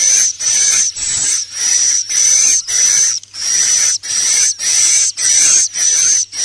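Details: Swiftlet "inap plus" lure call for roosting: a run of high, hissing, buzzy bursts each lasting about half a second, separated by brief gaps and repeated steadily, with a faint low hum beneath.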